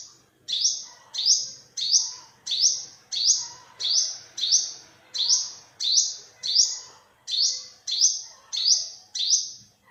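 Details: A long series of about fifteen piercing olive-backed sunbird notes over ten seconds, each an upswept flick trailing into a fading buzz, repeated evenly, with soft low chatter in the background.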